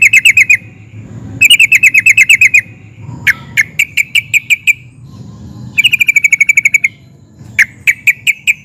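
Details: Sooty-headed bulbul, emotional and vocal, mixing nguplik notes with ngerol rolls to prompt answering bulbuls: short trills and runs of spaced sharp notes alternating, including one brief downward slurred note, over faint low background noise.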